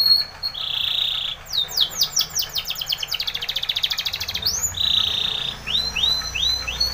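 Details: Spanish Timbrado canary training song: a steady buzzy roll, a fast cascade of falling notes, a second buzzy roll, then short rising whistles, over a faint low rumble.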